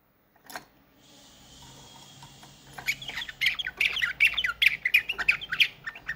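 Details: 1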